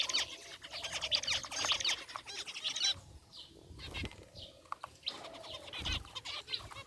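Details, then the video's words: A group of caged zebra finches, white and gray birds among them, chirping in an aviary: dense bursts of short nasal, harmonic-rich notes overlapping rapidly, a brief lull near the middle, then more chattering calls. "Cute Zebra Finches in Aviary | Relaxing Bird Chirping Sounds"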